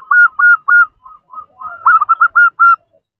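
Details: Female zebra dove calling a male: evenly spaced cooing notes at first, then a softer stretch, then a faster run of clipped coos before it fades to silence.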